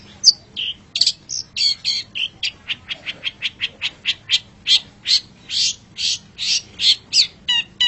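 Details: Long-tailed shrike (pentet or cendet) in a master recording for training songbirds: a fast, steady string of sharp clipped notes, about three per second, mixed with a few higher whistled notes.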